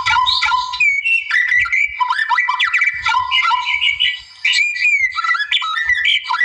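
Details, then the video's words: A wild white-rumped shama's lively rival-provoking song: dense bursts of clear whistles, slurred upward notes and buzzy flourishes, with a brief pause near the middle and faint low background noise. "MASTER KICAU GACOR MURAI ALAM NARIK LAWAN"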